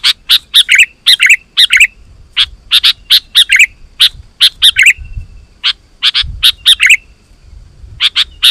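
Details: Sooty-headed bulbul calling wild bulbuls to answer; a steady stream of paired sharp notes and bubbly warbled phrases repeated throughout with barely any pause.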